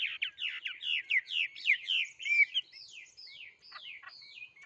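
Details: Bird song of rapid, sweeping whistled phrases delivered in a dense rush, then slower descending slurred notes toward the end.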